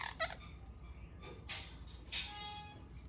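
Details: A pet ringneck (rose-ringed) parakeet making what its owner calls weird sounds: three harsh, raspy squawks about a second apart, the last trailing into a longer buzzy, nasal note, over a low background hum.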